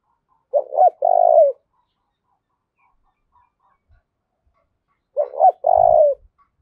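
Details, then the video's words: Spotted dove acting as a decoy bird to incite fighting, two cooing phrases about five seconds apart, stuttered opening notes then a long purring coo, with a faint low thump near the second. "Tiếng chim cu mồi thúc đấu"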